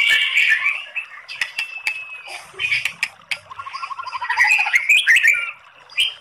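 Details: White-rumped shama song with long rapid bursts, used to provoke singing: varied chattering and scratchy phrases, sharp clicks, and a quick descending run of repeated notes in the middle.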